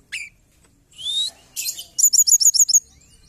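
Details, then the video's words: Calls of the mountain forktail (tledekan gunung), played as a lure for trapping: a short rising whistle, a harsh buzzy burst, then a rapid series of about eight piercing high notes. "Pancingan Ampuh Tledekan gunung"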